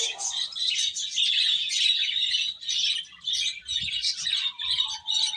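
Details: Little chicks peeping as they feed, with shrill chirps crowding together almost continuously and a brief lower-pitched peep near the start and end.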